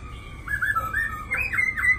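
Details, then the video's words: Black-throated laughingthrush, one of two newly arrived caged birds in Hanoi, Vietnam, singing in the long-drawn 'lai dai' style: a brief run of clear whistled notes, the later ones rising and looping, over faint low room hum. "2 khướu mun mau mỏ đã hót lai dai đẹp"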